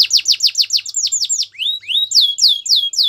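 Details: Canary singing a fast run of bright, down-slurred whistled notes, about three to four per second, then a rising slide into a slower series of sweeping notes. Quiet background.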